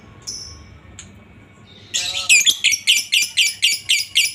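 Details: Lovebird giving a long ngekek chatter, used as a master recording to train other lovebirds: after faint high squeaks, harsh rasping notes repeat about four times a second, steady and loud, with low background hum.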